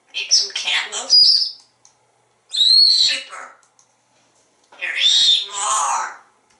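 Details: Pet African Grey Parrot kept in a home in Texas, talking: three bursts of mimicked speech, each about a second and a half long, separated by short silences, in a quiet indoor room.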